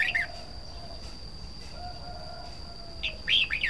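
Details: Red-whiskered bulbul: one short slurred phrase, then a gap with faint low whistles, then a louder cluster of bright, bubbling notes near the end. A constant high whine persists throughout.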